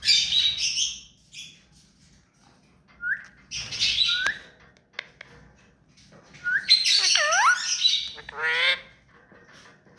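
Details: Tame pet ringneck parakeet producing a mix of sharp squawks, short upslurred chirps and a few harmonic, voice-like swooping notes, scattered irregularly with quiet gaps.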